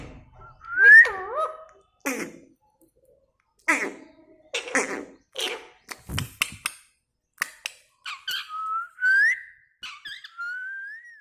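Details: Talking parrot repeating "mitthu" clearly indoors. Scattered husky, speech-like syllables and clicks are followed by a few rising whistled notes and a long smooth whistle near the end.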